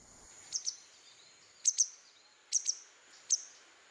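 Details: Grey wagtail, a non-breeding winter visitor at a forest waterhole hide outside Kaeng Krachan National Park, Thailand, giving sharp, very high metallic 'tzit-tzit' calls, mostly doubled, about once a second, over a steady high insect-like hiss.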